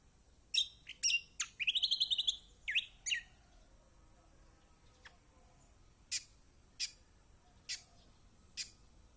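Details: Kecial kombok song used to coax reluctant birds: quick high chirps and a rapid trilled burst, then widely spaced single sharp notes roughly every second.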